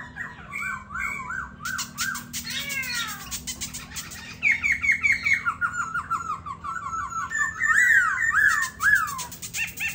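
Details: Silver-eared laughingthrush kept as a caged songbird, performing in the ôm cóng style: varied loud song of rapid whistled trills, rising and falling slurred phrases and harsh buzzy bursts in changing series, with steady low hum behind.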